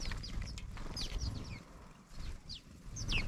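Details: A noisy flock of many house sparrows arriving at a feeder: short, sharp, downslurred chirps overlapping from several birds, with a steady low rumble underneath.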